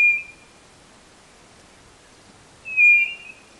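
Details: Two clean, sustained whistles from a White-bellied nothura, used as a lure call, with a quiet gap of over two seconds between them. The first whistle is cut off at the start.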